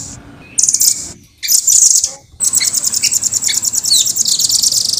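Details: Red-billed velvet-fronted nuthatch (rambatan), a bird that creeps along wood and cage edges, in clear, fast, dense song. Very high, shrill trills roll on in long bursts, ending in a rapid, pulsing roll.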